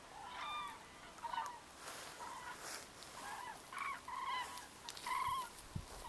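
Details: Common cranes foraging in a winter field, pecking here and there, give loud rolling trumpeted calls with a ringing harmonic tone, in short bursts roughly once a second, several birds overlapping from the flock.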